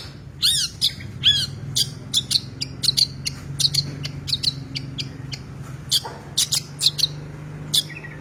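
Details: Energetic Long-tailed shrike delivering rich 'isian' song: harsh arched screeches opening into a rapid, uneven chain of short, scratchy high notes, low background hum throughout.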